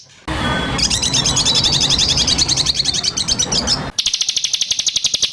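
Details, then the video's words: White-rumped shama training recording of harsh burst phrases: a loud, dense run of rapid repeated high notes, then an abrupt cut to a steady, fast, buzzy high trill. "Masteran burung murai batu terlengkap full tembakan kasar"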